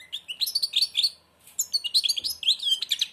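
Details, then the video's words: A blind European goldfinch sings with its beak almost closed. It gives rapid, liquid twittering in fast high bursts of tinkling notes and buzzy trills, with a brief pause in the middle. "تغريد_الحسون أعمى سبحان الله يغرد ومنقاره شبه مغلوق"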